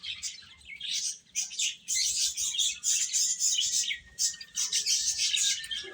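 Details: Baby chickens at feed, chirping in quick irregular bursts of thin, piercing peeps, roughly three calls a second from the mixed flock, briefly quieter around one second.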